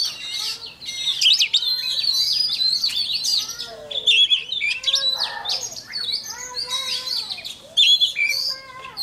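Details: Morning training song by an oriental magpie-robin lure bird; long continuous medley of whistles, buzzy notes and fast trills, with a few lower slurred notes mixed in.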